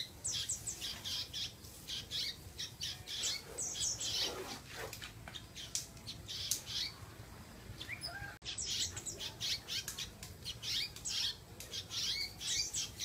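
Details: Pet canary in gacor singing mode delivers a long, varied run of sharp chirps, quick trills and whistled notes in rapid succession, with a short break midway and a steady low background hum.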